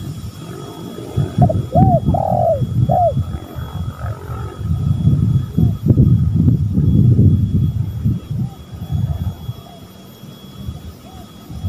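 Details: Spotted doves, a male and female, calling as a lure. One cooing phrase of arched notes and a drawn-out coo opens the clip, then heavy low rumbling noise, with faint coos later.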